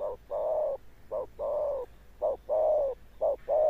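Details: Wild-caught spotted dove cooing in the deep 'thunder-tone' manner: alternating brief and sustained low hoots, each pair close together and repeated about once per second.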